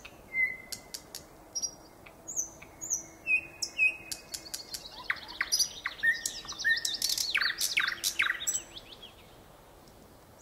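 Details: Nightingale singing a varied sequence: short whistles and upslurred notes, building to a rich jumble of rapid chirps and trills before fading out.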